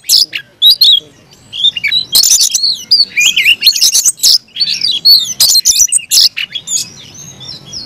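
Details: Oriental magpie-robin (kacer) singing aggressively: scattered clicks and whistles building into rapid strings of high slurred notes and sharp chips, easing near the end.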